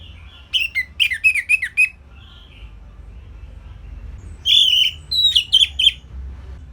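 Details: Simple orange-headed thrush song recorded as a tutor for training songbirds: a phrase of five or six fast slurred whistles, a pause of about two and a half seconds, then a steady whistle followed by quick sharp notes.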